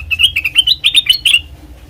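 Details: Brief black-crested bulbul phrase for luring birds: about ten quick, liquid chirped notes rolling upward and back in under two seconds, then silence.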